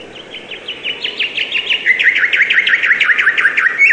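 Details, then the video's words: Bird chirping with a lively train of short notes, roughly three per second, rising in loudness and slipping slightly lower in pitch toward the end. "Beautiful and relaxing bird chirping sound"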